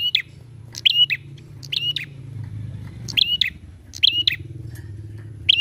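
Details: Prinia lure song for prompting birds to sing: repeated bright, chirpy phrases, each with a brief level whistle, five or six in quick succession over a low background rumble.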